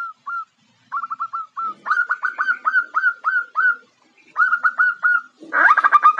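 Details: Female zebra dove calls to draw a male, delivering several bursts of quick staccato coos, each burst a rapid string of short ringing notes, ending with a loud harsher flurry.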